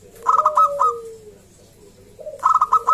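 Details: Local zebra dove song meant to make other zebra doves sing: a loud cluster of rapid, clipped notes over a sliding coo, a short pause, then another fast staccato burst.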